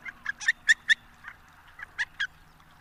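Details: Harlequin duck calling close by: a clear chain of short, high, squeaky nasal yelps, several in quick succession, a brief pause, then two more, with little background noise.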